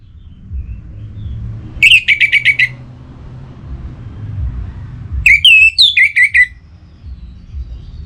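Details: Two bursts from an orange-headed thrush in North Bali, Singaraja, in breeding condition and calling a rival. Each burst is a quick series of six or seven loud, shrill whistled notes, separated by several seconds of quiet.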